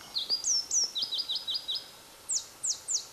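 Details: Pallas's leaf warbler (Phylloscopus proregulus) singing near Erdenebulgan, Khovsgol Aimag, Mongolia, July 2009; high thin song: two rising whistles, a quick run of five sweet chirps, then three falling sharp notes after a pause.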